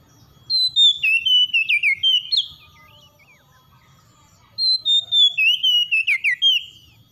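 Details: Oriental magpie-robin singing in the morning in two vigorous bursts of rapid, clear whistled notes that fall in pitch, separated by a pause of about two seconds with faint twitters.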